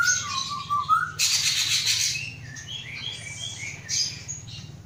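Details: Caged Aceh-type white-rumped shama, hatched 23 August 2012 from a female from Terangun, Gayo Lues, Aceh, being readied for a breeding cage: low sliding whistles, a harsh buzzy burst, then varied high whistled phrases over a steady low hum.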